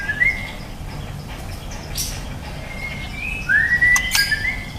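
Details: Juvenile white-rumped shama, called a promising youngster, gives sparse whistled notes, one short upslurred phrase near the end, followed by a brief click over constant low background hum.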